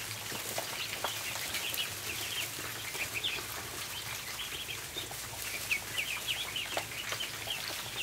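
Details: Ducklings crowd the barn floor at feeding time, their high-pitched peeps rising and falling in rapid overlapping runs, with pecking clicks and a low hum behind.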